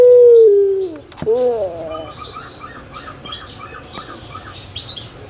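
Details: Caged puter pelung dove from Indonesia singing manggung. A clear tone glides downward, then a wavering, bending note follows. Faint chirps from other birds and soft background noise can be heard.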